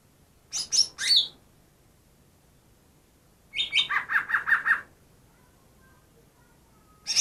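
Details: Wild greater green leafbird, captured two days before, imitating other species: sharp high chirps, then a scratchy phrase of rapid repeated notes, another chirp at the end, with quiet background.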